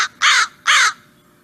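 American Crow giving two loud, harsh, rasping caws about half a second apart, with the tail of an earlier caw at the start.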